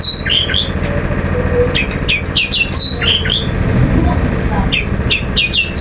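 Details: Long-tailed shrike lure recording meant to provoke another bird to sing: quick, sharp downslurred chips given in small clusters, repeated throughout, against steady low traffic rumble.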